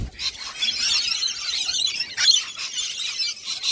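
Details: Friendly lorikeets close by, producing dense shrill screeches and grating chatter, with a louder burst of squeals midway.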